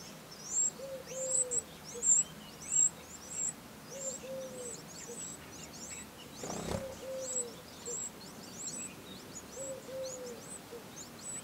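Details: Eurasian wren brood at the nest, 15 August 2011: thin, very high chirps in quick repeated bursts, several overlapping, with a few low, soft, drawn-out whistled notes between them and steady background hiss.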